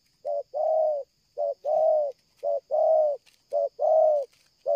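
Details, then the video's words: Spotted dove cooing strongly and without pause, a stuttering-style cooer: a short low coo followed by a longer, slightly arched coo, the pair repeated roughly every second and a quarter, with clean quiet background. "tekukur ini kuat nguku dari jauh mendekat nguku takberhenti,penguku selang gagap"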